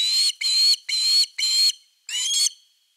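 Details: At an osprey nest on 30 August 2021, evening fish time: five strident whistled calls in quick succession, about two per second, the last one doubled and trailing off.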